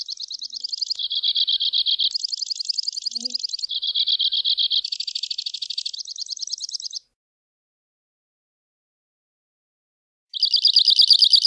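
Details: Two-barred crossbill singing a long series of high, rapid trills that switch pitch every second or so, a buzzier lower phrase alternating with brighter ones, then a pause of about three seconds before a fresh trill starts.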